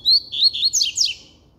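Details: Double-collared seedeater in full song, a rapid sequence of clear whistles followed by sharply descending slurred notes, loud and close, with a quiet background.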